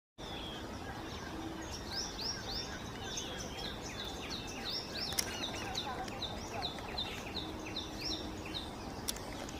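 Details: A baby parrot calling for food gives a steady run of short, high, rasping chirps, about two a second, over a constant hiss of background noise.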